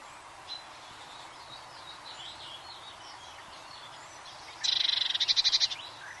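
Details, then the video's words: Eurasian blue tit delivering a sudden loud trill of about a dozen rapid, high, clipped notes near the end, after several seconds of faint distant warbling and chirping from other birds. "Blue Tit's Enchanting Bird Song"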